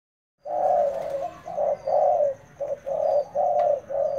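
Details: Decoy spotted dove in training, giving a run of low, hoarse coos in clustered phrases, several notes in quick succession with brief gaps, after a short silence at the start.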